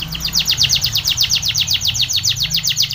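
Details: Spanish Timbrado canary delivering a training song: one continuous rolling trill of bright, evenly pulsed notes, about six per second, with a low background hum.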